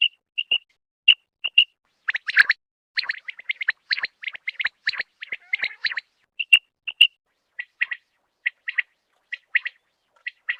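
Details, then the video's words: Common quail (desi batair) from Khyber Pakhtunkhwa or Punjab, Pakistan, where the birds are hunted with nets. Short clear whistled notes come in quick groups of three, with a denser burst of rapid chirping chatter in the middle. "quail sound|batair ki awaz|desi batair ki awaz"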